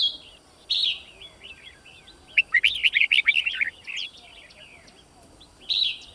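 Red-whiskered bulbul giving bright, bubbly whistled phrases: a short burst, then a fast run of chirpy notes, and another burst at the end. No other sounds stand out.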